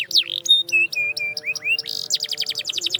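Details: Canary song meant to wake silent canaries into song: varied whistled notes, some level, some rising slurs, then a quick series of falling sweeps, over a soft low steady tone.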